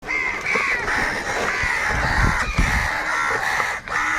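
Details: Crows squabbling and fighting over food, angry birds giving a dense, continuous stream of harsh overlapping caws with little pause, several calling at once over a low rumble of background noise.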